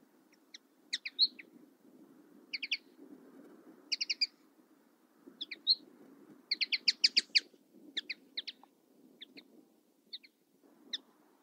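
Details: Common linnet singing a lively twitter of short chirps and paired metallic notes in rapid bursts, densest around the middle, over a faint low rumble.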